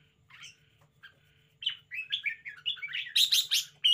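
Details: Spirited red-whiskered bulbul kept in a cage: quiet notes first, then a rising, continuous run of bubbling, warbled phrases growing louder toward the end, with a low background hum.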